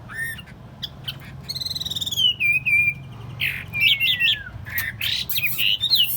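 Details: Hand-tame caged Chinese hwamei on a table delivers a rich song: a buzzy trill, then long descending whistled slides and bursts of rapid, varied notes.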